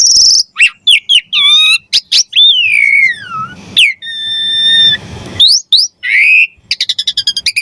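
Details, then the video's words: Lively Javan pied starling song for masteran and pancingan: sharp high whistles, a long swooping note that slides downward, steady ringing tones over a soft hiss, and a final burst of fast rattling clicks. "Suara Jalak Suren Gacor Mompa Variasi Isian Mewah Cocok Buat Masteran & Pancingan Burung Jalak"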